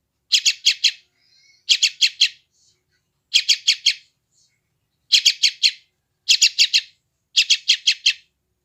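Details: Young sooty-headed bulbul from West Java, Indonesia, recorded on an Android phone, calling to train newly caught wild birds: bursts of three to four harsh, buzzy chirps, repeated about every second, clean background.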